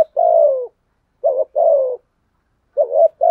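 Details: Spotted dove lure bird cooing: soft low phrases pairing a short wavering note with a drawn-out falling coo, repeated after gaps of under a second, clean with no other sounds.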